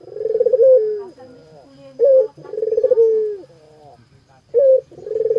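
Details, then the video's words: Dove repeating its coo phrase. A clipped opening note leads into a long pulsing coo that falls in pitch, with soft echoing notes after it. Three phrases are heard against a faint hum. "Suara Burung Puter Gacorrr"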